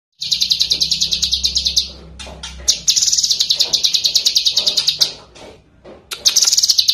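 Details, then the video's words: Kept lesser green leafbird singing actively, recorded as a master song for training songbirds: long bursts of rapid, high, buzzy chattering notes trilled several per second, broken by short pauses and scattered sharp chips. "Masteran Cucak Kinoi GACOR √ || Suara Jernih !"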